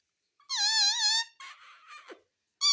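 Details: Talking ringneck parrot that says "mummy": a long loud wavering nasal tone, then quieter rough chattering, and another loud nasal tone beginning at the end.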